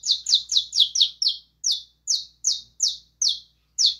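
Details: Singing saffron finch opens with a rapid burst of six quick slurred chirps, then slows to evenly spaced, clear downward-sliding notes about every half second; a soft low hum in the background.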